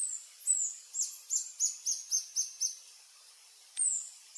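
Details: Adult male Reddish Hermit, subspecies ruber, singing on a lek along a forest trail in French Guiana, 1 March 2024 mid-afternoon: a run of about eight very high, thin, downslurred squeaky notes in quick series, then a lone high note.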